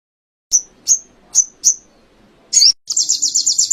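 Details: Canary song material used for training songbirds in Indonesia: four crisp, high, downward-slurred whistles, a harsh burst, then the start of a quick pulsing trill.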